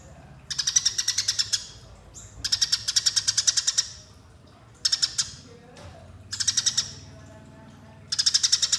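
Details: Eurasian tree sparrow fighting calls for use as a lure: five dense bursts of fast, harsh chirps, each lasting about a second, with short silent gaps between them.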